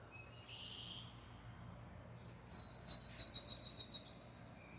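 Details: Birds chirping at sunrise in the USA: a faint, quick run of about eight high, thin, evenly spaced chip notes over two seconds, plus softer twittering, above a constant low rumbling background noise.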